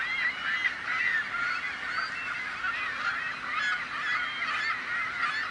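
A crowd of gulls calling over one another: harsh, nasal yelps and squeals in a dense, overlapping clamour with no pause, against a steady wash of background noise.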